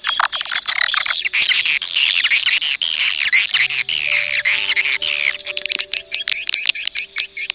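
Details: Swiftlet attraction call, edible-nest swiftlet, played to lure birds: an intense, continuous high twittering chatter, then it breaks into quicker separate chirps toward the end.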